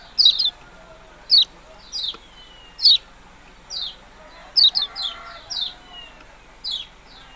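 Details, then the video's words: Yellow-bellied prinia calling a rapid, irregular series of sharp, high, descending chips, some doubled, roughly one or two per second, with faint lower background hum. "burung kecial kuning ciak ciak"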